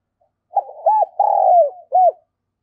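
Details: A spotted dove used as a decoy to lure wild doves, delivering fast 'thổ thúc gù' style cooing. One full phrase is heard: a low stuttered start, an arched coo, a long sliding coo falling at the end, and a final arched note, in a quiet setting.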